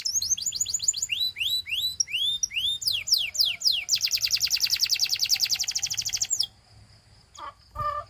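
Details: Belgian canary song for prompting other canaries to sing: varied rising and falling swooping whistles, a dense rapid high trill lasting about two seconds, then a pause with a few brief lower chirps.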